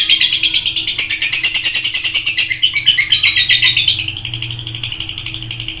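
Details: Lovebird singing vigorously, a continuous rasping twitter of quick pulsed chirps with no pauses, accompanied by a low electrical hum.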